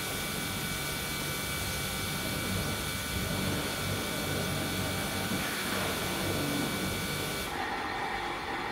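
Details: Only a constant broadband hiss with steady humming tones is heard, with no animal calls present.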